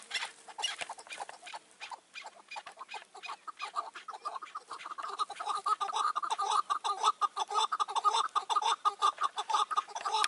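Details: Chukar partridges during a May 2024 roof-trap hunt with a caged decoy, a wary old wild bird nearby: rapid harsh clucking notes repeated about twice a second, growing louder and denser toward the end.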